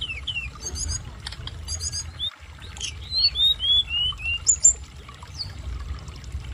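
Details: Tledekan gunung, a mountain flowerpecker learning its song, gives high, thin, downslurred chirps and short whistled sweeps in loose bursts over a low steady background of flowing water.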